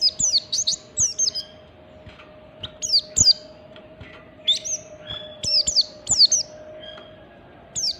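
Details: Oriental white-eye singing in the standard ngalas style, played to coax other white-eyes into song: bursts of quick, thin, high chirps sweeping downward, about twenty phrases a minute, with faint drawn-out whistles between, a steady low hum and occasional sharp clicks.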